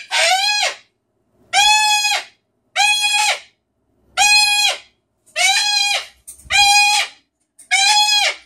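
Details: Pet cockatoo indoors, screaming again after being told it is driving its owner crazy: seven loud, harsh, buzzy screams roughly a second each, spaced about a second apart, rising at the start then steady; no other sounds.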